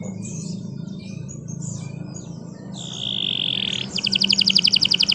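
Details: Canary song meant as a master recording for teaching other birds: scattered high chirps and slurred whistles over a low hum, then a steady buzzy note and a fast, evenly pulsed trill at the end.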